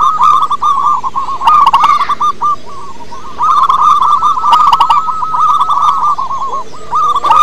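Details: Chorus of local wild-type zebra doves, kept as lure birds to set others singing, pouring out rapid rolling coos in near-continuous runs, broken by a short lull and sharp chirpy bursts.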